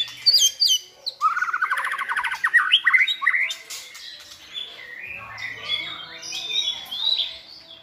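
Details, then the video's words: Caged white-rumped shamas tutoring a selected shama; high sweeping whistles, then a long rapid series of trilled whistled notes, easing into softer overlapping warbles. "NÀI CHÒE LỬA | Đào tạo THANH cho lửa chuyền"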